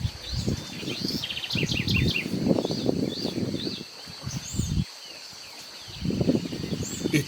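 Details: Shiny cowbird (Molothrus bonariensis) in the Argentine littoral gives a call: a run of high, liquid, gurgling notes and thin whistles, repeated through the clip, over a man's voice speaking in the foreground.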